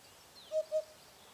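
A Eurasian hoopoe gives two soft, low hollow hoots in quick succession, 'poo-poo', over a faint background hiss.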